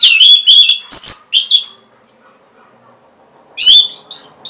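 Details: Orange-headed thrush singing, used to prompt caged birds that have stopped singing: a quick run of bright whistled and scratchy phrases, a silent pause of about two seconds, then another sharp whistled phrase and a softer note.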